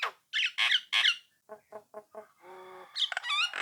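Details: Nias hill myna singing to goad rival birds into answering: loud harsh squawks, a few short low notes, a nasal buzzy tone, then squeaky whistles.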